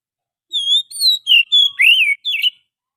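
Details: Oriental magpie-robin from the wild, used as a luring sound: a clean phrase of six whistled notes, level and curving, one swooping upward then down, heard against total quiet.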